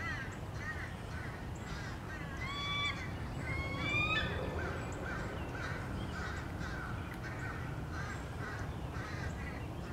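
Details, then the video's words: Many American crows attacking a bald eagle back at its nest on 30 March 2016: rough repeated caws from several birds, overlaid midway by a high, thin, rising whistled chatter, against constant low noise. "Crows attack"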